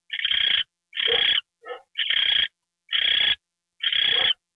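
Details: An owl gets a mouse treat at night on 28 January 2013; broad, harsh hisses recur about once a second, with one quieter, lower stuttering chirp tucked between them.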